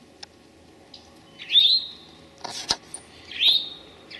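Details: Eastern towhee, late morning of 25 May 2011 in Memorial Forest, Sudbury / Desert Natural Area, Marlborough, Massachusetts, giving two bright, high phrases about two seconds apart, each a quick upslurred note into a short trill; soft rustling clicks.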